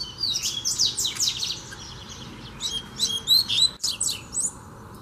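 Double-collared seedeater singing fast, high twittering phrases of sharp chirps and slurred whistles, with brief pauses between bursts; no other clear sounds.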